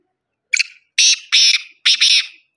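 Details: Kohati black francolin calling: a brief clipped opening note followed by three strident, rasping phrases in quick succession, each harsh and broadband with a slight double stutter at the end; no other sounds.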